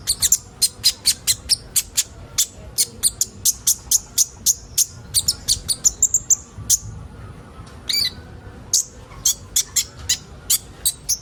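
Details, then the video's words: Sunbird known locally as kolibri ninja, played to prompt young birds into full song: a fast run of sharp, very high ticking notes, roughly three per second, with a brief buzzy burst near the end. "Burung kolibri ninja bahan ombyokan cepat gacor"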